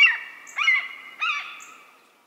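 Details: Red-shouldered hawk (Buteo lineatus) song: two loud, harsh, slurred screams about three-quarters of a second apart, each starting high and falling, with a ringing tail.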